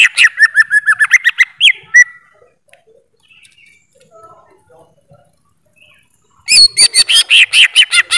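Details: Greater green leafbird in two loud outbursts of quick, slurred whistled notes, separated by a quiet gap of about four seconds. The second burst is a dense, pulsing chatter of repeated bright notes.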